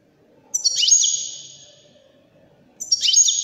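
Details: Wedani goldfinch from Morocco singing: two bursts of bright, high twittering notes with quick downward slurs, each followed by a sustained thin trill, the second burst starting about two seconds after the first; quiet background otherwise.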